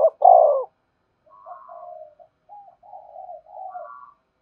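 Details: Spotted dove coo meant to entice wild doves back to the perch: one loud, rich, rolling coo at the start, then a string of soft, even, low coos with a faint higher note.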